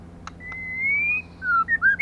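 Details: Female white-rumped shama singing as a lure to stimulate males: one long clear whistle gently rising in pitch, then a lower slurred note and short quick whistled notes, over faint low hum.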